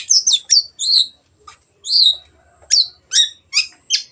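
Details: Long-tailed shrike singing vigorously, used as a lure to get stalled birds singing. Sharp high whistled and chattering notes in quick bursts, some dropping in pitch, with short gaps between phrases; quiet background.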